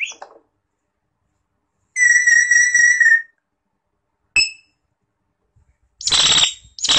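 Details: Common hill myna, Gracula religiosa, sings a steady, gently wavering whistle lasting over a second and a clear short ringing note, followed by loud harsh screeching bursts.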